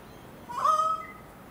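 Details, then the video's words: Currawongs singing in a suburban garden in Enmore, New South Wales, Australia: a single clear, fluting whistled note held for about half a second, steady in pitch, over quiet background. "Sydney Currawongs"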